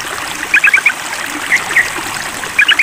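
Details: Sooty-headed bulbul calling a rival during a mental test: scattered short bright chirps in small clusters near the start and end, over a steady rushing, trickling water background.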